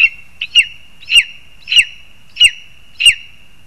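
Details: Repeated shrill yelps from a Lesser spotted eagle in spruce, Zemgale, Latvia, at feeding time with a frog for the young. Six or seven sharp, descending notes come in a somewhat uneven rhythm, with a soft steady tone in between.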